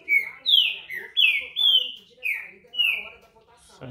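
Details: Green-winged saltator (trinca-ferro, pixarro), noted for good singing, delivering about six ringing whistled notes that sweep downward, spaced roughly half a second apart, followed by a brief knock at the close and soft broadcast voices behind.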